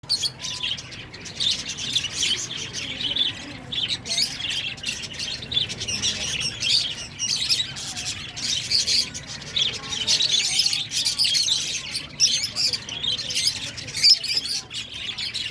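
A busy flock of budgerigars chirps and chatters constantly in bright, warbling twitters.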